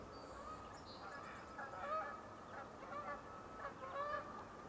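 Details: Canada goose, one of a pair probably nesting at ch’atlich Marsh, British Columbia, on a spring morning of 1 May, giving repeated nasal honks, several in quick bursts over a few seconds, against a steady marsh background hum.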